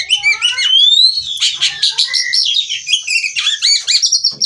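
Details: Captive female white-rumped shama in Cirebon, Indonesia, sung to stimulate singing: long sliding whistles open into dense, fast trills and chattering phrases, loud and unbroken.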